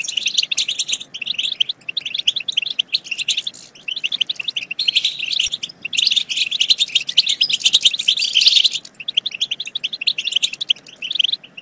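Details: Song of the European goldfinch, used to stimulate singing and mating in goldfinches. Quick chattering twitters and sharp chirps run throughout, peaking in a dense, loud flurry between six and nine seconds.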